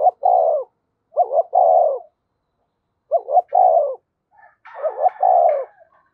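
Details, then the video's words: Spotted dove kept as a decoy, cooing in giọng thổ style: repeated three-part phrases, two brief notes and a sustained low coo, with faint higher chirps from another bird near the end. "Chim Cu Mồi-cu gay kich boi nhanh noi gù"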